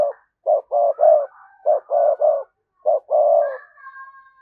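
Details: Spotted dove cooing as a lure to provoke a response from other doves: low mellow coo notes in short groups, some doubled, with pauses between, and a faint higher whistle near the end.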